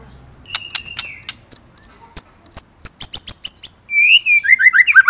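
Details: A white-rumped shama from an Indonesian murai training recording: sharp clicks and a mid-pitched whistle, then rapid high ticking notes over a steady thin whistle, ending in a falling warbled run.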